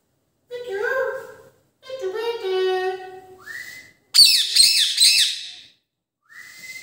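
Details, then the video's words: Indian ring-necked parakeet, the rose-ringed parakeet, giving a run of clear whistled notes, some with stacked overtones and rising slurs, then a loud harsh burst of broad squawky notes, and a short rising whistle at the end. "indian ring-neck"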